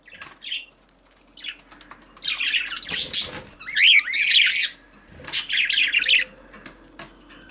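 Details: Female parakeet chatters in rapid, warbling, high-pitched bursts that build louder in the middle, then fade into short scattered chirps in a quiet room.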